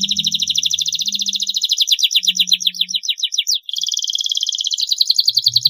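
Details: Long canary training song meant for young birds to learn from: dense rapid trill passing into a series of descending slurred notes, a brief pause, then a steady fast rolling trill; faint low hum beneath.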